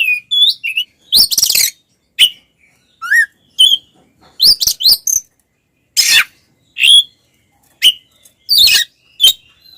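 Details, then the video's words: Oriental magpie-robin fighting song meant to provoke rival males: scattered sharp whistled notes, upslurs and harsh noisy bursts, separated by short silences. "SUARA BURUNG kacer gacor NGEPLONG TARUNG konslet"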